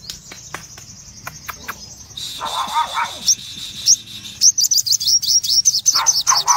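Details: Energetic ngobra-style singing of a red-eyed cremino Crimson sunbird: a steady high hiss-like buzz opens, followed by quickening strings of piercing high chips fired in rapid succession.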